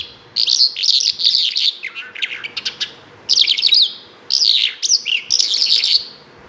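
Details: Bimaculated lark singing: dense bursts of scratchy, buzzy warbling high in pitch, broken by short pauses, with a run of quick clicking notes in the middle and three phrases of chattering song.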